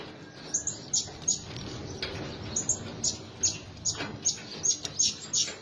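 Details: Blue-crowned hanging parrot calls used as a lure for attracting birds: high, thin squeaks repeated several times a second in an irregular run, with a constant low rumbling hiss behind.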